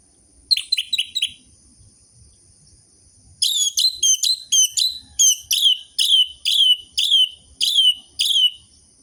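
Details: Lure recording of an orange-headed thrush, used to get sluggish caged birds singing again: a rapid trill of four high notes, a pause, then a long, steady series of sharp, slurred high chips repeated about twice a second.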